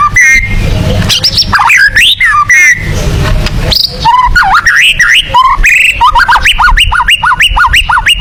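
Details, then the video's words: White-rumped shama in 'tembakan' song, the style used for contest birds: rich whistled phrases and swooping slurs, then a run of repeated rising-and-falling whistled notes, about two per second near the end. "TEMBAKAN MURAI BATU COCOK UNTUK BURUNG LOMBA"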